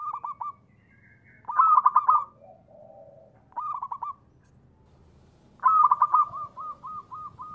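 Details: Local Indonesian zebra dove, a frequent singer, cooing as a lure to provoke other doves into calling: mid-pitched, trilled coo phrases in four bursts, the last trailing into a row of short, evenly spaced notes, over a low background rumble.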